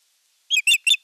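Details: Osprey sky dance and courtship toward an unringed female, recorded at Eurajoki on 25 April 2022: three piercing, slightly buzzy whistled cheeps in a rapid, even burst, with silence around them.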